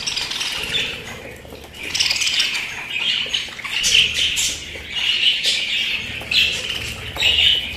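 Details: Pet budgerigars giving sharp squawks and chirps over a running scratchy warble, several louder peaks standing out from the flock chatter.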